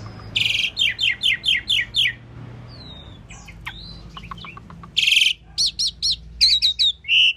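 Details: Singing Asian pied starling delivering a burst of six rapid harsh chirps, then scattered whistles and squeaks, followed by another loud harsh note and a series of bright chattering notes.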